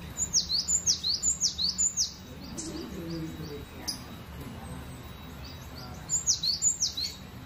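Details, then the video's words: Cinereous tit delivering a rapid run of sharp, descending whistled couplets, roughly seven in a row, a pause with scattered faint chirps, then another run of the same falling phrases. "GELATIK BATU..PLONG BANGET BERKICAUNYA"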